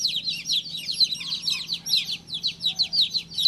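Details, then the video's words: Baby chick chirping: rapid, high, shrill peeps, each sliding downward, tumbling out about twice a second in uneven bursts, with a faint low hum underneath. "Cutest baby chick chirping sound"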